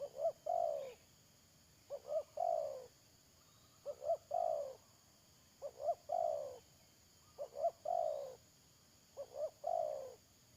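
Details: Spotted dove used to lure birds into a trap, 31 May 2022, repeating its phrase six times at a steady pace: two short coos then a longer falling croo, roughly every two seconds.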